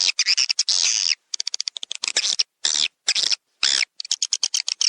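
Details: Swiftlets in a lure track meant to draw birds into swiftlet houses: bursts of sharp high chittering and short rasping twitters separated by brief silences, some notes in quick clicking runs.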